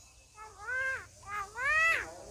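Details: Mimicking common myna talking like a human: three drawn-out, tonal, speech-like syllables, each rising then dipping, the last the longest and loudest, with a low background hum.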